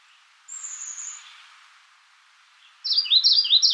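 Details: A thin, high, steady whistle opens, then after a pause a Magnolia warbler begins its quick run of down-slurred sweet notes, cut off at the end.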